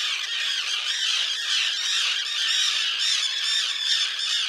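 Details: Common terns nesting with chicks on a concrete piece near a sea mole at Liepāja, Latvia, June 2024, recorded with a Nikon Coolpix P1000. Loud, continuous overlapping screechy calls, many birds calling at once.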